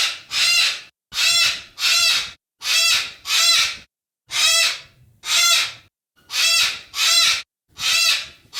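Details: Yellow-crested cockatoo giving loud, harsh, raspy screeches, each about half a second long, repeated in a steady series of about ten calls with brief gaps between them.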